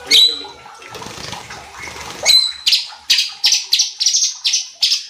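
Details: Cucak cungkok bulbul used as a lure to rouse other birds; a noisy rushing start, then a run of short, bright, high notes repeated about every third of a second.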